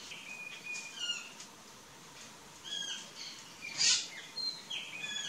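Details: Courting plush-crested jay giving scattered short calls: brief whistled notes and soft chattering bursts in loose groups, with one sharper, louder high note near the middle and quieter gaps between.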